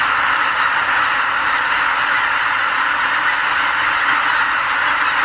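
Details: Greater white-fronted geese in spring migration lift off en masse from the Lake Miyajimanuma roost, Bibai, Hokkaido, in pre-dawn darkness, heading for nearby farmland to feed; a thick, unbroken wall of overlapping honks from tens of thousands of birds.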